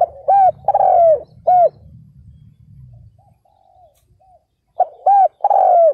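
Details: Decoy spotted dove calling to draw wild males, with loud coo phrases of short hoots and a long slurred note at start and end, a fainter dove cooing between, low rumbling noise underneath.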